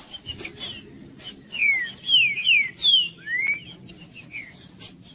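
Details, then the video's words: Green-winged saltator singing in the Judas style, meant to stimulate a cold bird: a fast series of loud falling whistled notes, then one rising slur, around two and a half per second, with faint clicks and chips behind. "MELHOR VÍDEO PARA ESQUENTAR TRINCA FERRO FRIO 2024 | TRINCA FERRO JUDAS"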